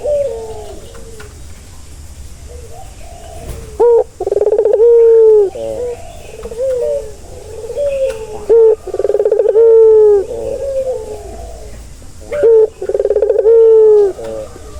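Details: Series of low ringneck dove coos used to settle a stressed bird. Rolling, bubbly phrases each finish in a sustained falling tone, coming roughly every few seconds over a quiet background.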